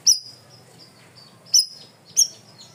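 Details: Three bright, high chips from a cream-vented bulbul, spaced irregularly and trailed by faint thin whistles. Part of a loud, clear masteran recording used for training.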